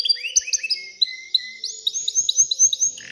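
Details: Canary in excited song meant to spur females toward mating and nest building. Quick rising whistled slurs repeat in rows, broken by a level whistle, then a run of ringing upswept notes. A faint steady hum sits underneath.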